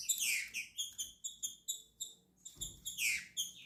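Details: Moulting green-winged saltator, Tornado, giving a string of short bright chirps about twice a second, then a richer descending slurred phrase near the end.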